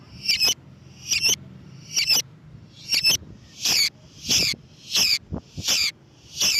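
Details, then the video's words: Lovebird sound for luring lovebirds: a steady series of shrill, high, buzzy chirps, repeated about every two-thirds of a second, growing louder and harsher toward the end. "MEMANCING BURUNG LOVEBIRD DENGAN SUARA BURUNG GACOR"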